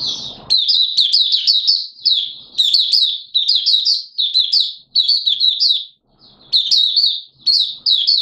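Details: Oriental white-eye from Malaysia, known locally as mata puteh, singing 'buka sing' in Singapore on 29 March 2023 in warm humid weather: fast, thin, sweet chattering runs in quick succession, nearly continuous with one brief gap.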